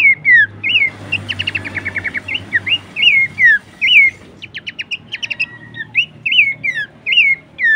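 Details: Horsfield's babbler song used to train and draw out songbirds: bright wavering whistles interleaved with rapid rattles of short chips, the whistles returning at an uneven pace, over a steady low hum.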